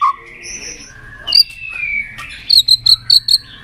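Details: White-rumped shama song used for training birds to sing many voices: a low whistle, then drawn-out sliding whistles, then a burst of five short sharp high notes in quick succession.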